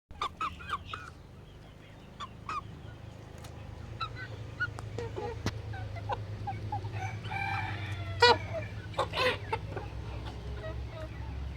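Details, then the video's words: Curious hens and roosters in a chicken coop, watching a camera set near the coop, give scattered short clucks and harmonic calls, with a longer crowing-like burst around the middle-late part over a steady low hum. "Curious chickens looking at camera and making sounds in a chicken coop"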